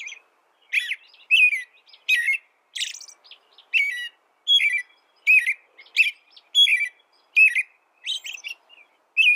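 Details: American robin recorded for tutoring birds, singing a continuous sequence of short whistled caroling phrases with falling slurs and occasional harsher syllables, about thirteen phrases over nine seconds, clean background.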